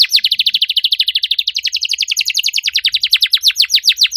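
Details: Canary singing fast, sharp descending chirp notes repeated several times a second in an unbroken rattling series, the bird used as a bait song for non-singing canaries; clean and loud with no other sounds.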